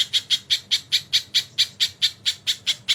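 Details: Crested jay in a tutor recording for training songbirds, with kingfisher calls mixed in: a harsh, scratchy note repeated about four to five times a second in a steady series over three seconds, with a low background hum.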